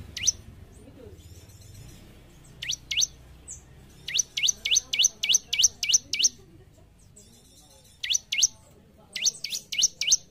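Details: Bar-winged prinia gacor song for training kept birds: irregular bursts of sharp descending chirps, a couple of isolated notes, then a run of seven and later a group of five, with faint background chatter.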